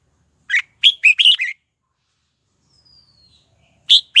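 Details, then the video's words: Red-whiskered bulbul decoy singing to call wild birds to fight: a clipped chirp, then a quick run of four slurred notes, a thin high whistle sliding down, and another loud note starting a new phrase. "Chào Mào Mồi Hót Tìm Chim Rừng Về Đấu"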